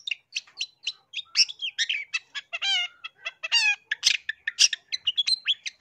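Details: Long-tailed shrike song for luring wild birds: quick varied chirps, harsh buzzes and a couple of rich, descending ringing phrases, mixing mimic-like whistles into a continuous chatter.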